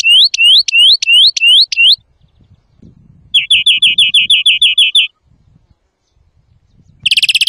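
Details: European greenfinch song used as a lure for trapping and for song training: a series of rising upslurred notes repeated about three per second, then a fast rolling trill after a pause, and a brief buzzy burst at the end.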